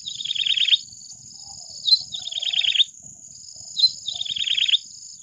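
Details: Yellow-bellied Prinia singing: a sharp high note followed by a rapid wavering trill of about a second, the phrase repeated roughly every two seconds, three times, over a steady high-pitched insect-like drone.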